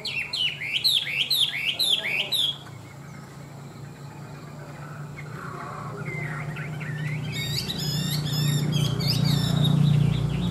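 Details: Chinese hwamei kept as a tame cage bird opens with a loud series of repeated looping whistles, falls quiet under a growing low hum, then resumes with bright chattering phrases.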